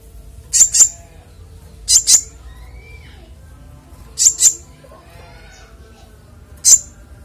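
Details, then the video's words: Konin in clear song for training songbirds: sharp high double chirps repeated roughly every two seconds, ending with a single note, faint soft background sounds between. "Konin bongkar isian suara jernih"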